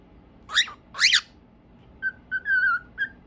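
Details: Several cockatiels singing happily: two harsh, sweeping calls, then a run of short, level whistles that rise slightly, repeated at uneven intervals.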